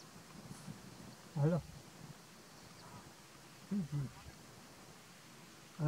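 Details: Greylag goose (Anser anser) filmed close up at Little Rann of Kutch, Gujarat, India, in January 2020, giving loud, nasal honks, singly and as a quick double, a second or two apart, over a low outdoor rumble.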